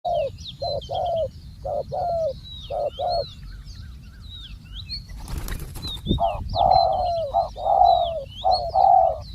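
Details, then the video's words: Spotted dove kept as a ground decoy for trapping, calling: low, hollow coos in bursts of two and three, a pause near the middle broken by a short noise burst, then louder coos, with high chirps and whistles of other birds above. "ต่อนกเขาใหญ่ EP58 นกเขาใหญ่ต่อดิน"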